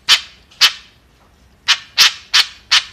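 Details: Kekep or white-breasted woodswallow uttering six short rasping, buzzy notes, two close together, a pause, then four more evenly spaced.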